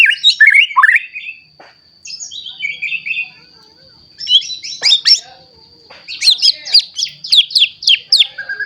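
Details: White-rumped shama song, offered as a lure to make young or adult shamas sing. Bursts of slurred whistles separated by pauses, ending in rapid sharp high notes. A faint steady high whine runs throughout.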